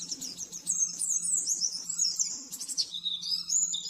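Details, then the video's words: Oriental white-eye master song for training caged birds, rapid 'nembak-nembak' style: high sweet warbles and a fast buzzy trill, then clear whistled notes, over a low steady hum. "Masteran burung pleci nembak-nembak 100% jernih"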